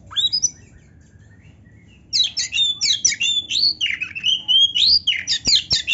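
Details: A 'gacor' kacer (Oriental magpie-robin) delivers a dense, varied song full of 'isian' phrases: an opening rising whistle, a pause, then rapid tumbling chirps, slurred whistles and buzzy notes pouring out without a break.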